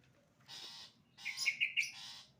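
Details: Long-tailed shrike in sembur song, somewhat faint: a harsh buzzy rasp, a pause, then a louder scratchy phrase with bright whistled squeaks mixed in, over low background rumble.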